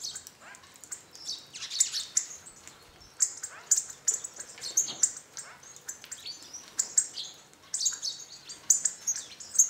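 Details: Hawfinches in a flock feeding at a back-garden bird feeder in northern Hungary; a busy run of sharp, high, explosive tick notes, irregular and often clustered, continuing for nearly ten seconds.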